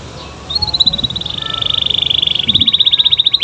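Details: Canary singing gacor to draw answers from other canaries: one sustained rolling trill, steady and buzzy, quickening and rising slightly toward the end.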